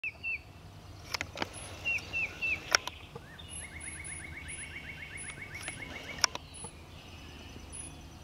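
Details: A Tufted titmouse at Ashton Tract, Augustine Wildlife Area, in April 2020 gives a few short whistled notes, with a dry trill from another bird, very high thin calls, and steady background hum.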